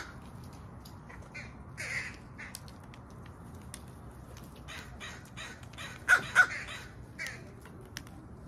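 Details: Sparse, distant crow notes over a quiet background, then two sudden loud caws close together near the end.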